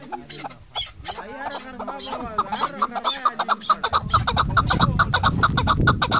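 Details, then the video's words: Female chukar partridge calling, a series of short, sharp clucking notes repeated rapidly and fairly evenly in the second half, after an opening of harmonic, laugh-like sounds and music; low rumbling noise underneath. "keklik sesi shikari chakor awaz dasi madi awaz female farmi chakor"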